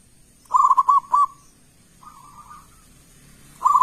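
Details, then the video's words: Local-strain Zebra Dove in loud, full song, used as a lure so other doves answer: rolling, bubbly mid-pitched coos in a quick burst, a softer drawn-out trill, then another rolling phrase, quiet background. "Perkutut lokal gacor suara keras besar - pancingan burung perkutut"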